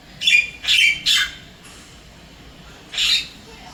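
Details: Javan myna in the wild in Singapore, visiting an apartment and calling its mate: three rough, squawky notes in quick sequence, a quiet gap, then one more hoarse squawk.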